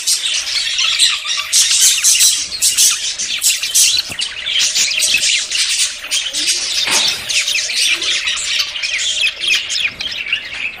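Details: A group of budgerigars in courtship ahead of breeding produce a loud, dense chorus of scratchy warbling and squawks, steady throughout with brief louder bursts.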